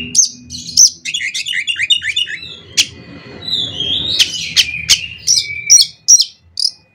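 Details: Oriental magpie-robin, kacer, lure song for other kacer: a fast run of downslurred whistles, then long buzzy slurs and sharp high chips, with faint rumble underneath.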